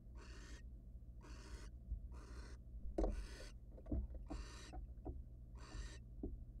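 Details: Wild barn owl pair at a research nest box, male arriving with prey for his mate; six rasping hiss-screeches spaced about a second apart, with scattered knocks and scuffling thumps in the box and a constant low hum.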